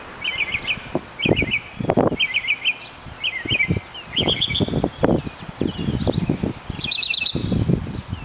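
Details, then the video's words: Northern mockingbird performing an aerial song and dance display at Kitty Hawk, North Carolina; varied phrases of rapid trilled and chirped notes, each repeated several times in quick bursts, over wind noise and low rumbling thumps. "Mockingbird Aerial Song and Dance"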